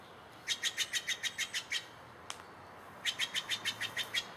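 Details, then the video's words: Bird in Takilma, Oregon, recorded between April 1 and 6, 2017, delivers a quick run of about nine bright, slightly buzzy repeated notes, falls silent briefly, then gives about seven more at the same fast pace. "Bird Whistle Hustle"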